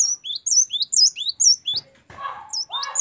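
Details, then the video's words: Great tit (gelatik batu) singing gacor wucit variasi, used as training song for captive birds: loud high two-note phrases at an uneven pace, interrupted by a lower, rougher burst of sound before the high phrases return. "Gelatik batu gacor wucit variasi. Great tit. Singing birds."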